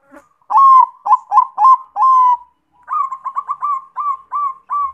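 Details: Zebra dove song used as a lure to make other doves sing: clear mid-pitched coos, a stuttering run of short notes then longer slurred ones, followed by a second phrase of rapid repeated cooing notes.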